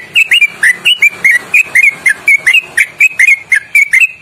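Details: Loud, long ropelan trill of a sooty-headed bulbul with fast twisting inflections, used as training song: a dense, unbroken series of short clear whistled notes, rising and falling, about four or five each second.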